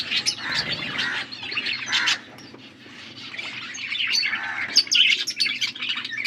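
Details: Blue budgerigars chirping while feeding each other: scratchy warbled chatter, a lull in the middle, then sharper chirps returning.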